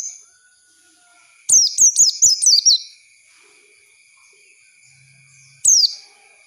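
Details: Lure song of an Oriental white-eye for training young birds to sing: a quick string of five or six high, falling whistles at a brisk pace, then silence and one more lone descending note, with a thin constant tone beneath.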